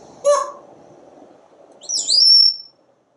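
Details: Pet parrot on a screened back porch, watching squirrels and birds: a short harsh squawk, then a pause and a bright high whistle that rises and holds steady before stopping.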